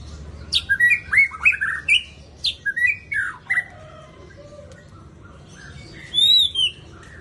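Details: White-rumped shama singing: a quick series of varied sharp, rising and falling whistled notes in clustered bursts, a pause, then a final high, ringing phrase.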